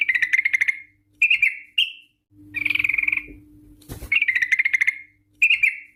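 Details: Rapid chattering phrases of a sooty-headed bulbul in its long 'ropel' lure song, short bursts separated by pauses, one sharp click midway, over a faint steady low hum.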